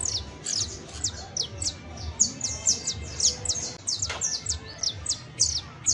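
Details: Saffron finch, a fine example of the creole canary, singing a series of sharp, high, descending chirps and short notes in quick bursts, with pauses between phrases and faint low background rumble.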